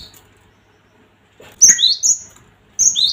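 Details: Cinereous tit (gelatik batu) lure call: after a quiet start, a clear phrase of high whistles stepping down to lower notes, then another pair begins near the end.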